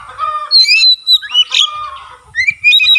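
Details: Energetic white-rumped shama song with tail opening: long clear whistled notes, a bright sweeping upslur in the middle, then a final rising whistle after a short pause, with faint low knocking in the background.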